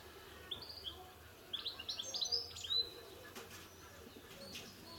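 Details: European goldfinch uttering short bursts of high, bright twittering notes, quieter toward the end, where soft fluttering sounds are heard.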